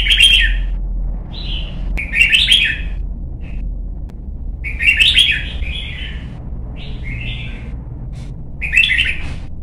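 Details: Caged young red-whiskered bulbul in vocal training for competitive singing gives bursts of rich chattering warbles mixed with short clear whistles, several phrases spaced one to two seconds apart over a faint low rumble.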